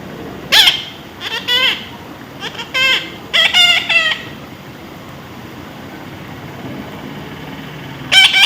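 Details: Baby parrot in a taming session, giving a rapid cluster of harsh screeching squawks over about four seconds, then a long quiet pause before one final loud squawk.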